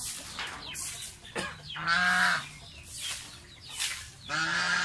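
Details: Domestic pet goose chick during a bath: a few louder, nasal, buzzy honk-like calls, each under a second, set between bursts of splashing water.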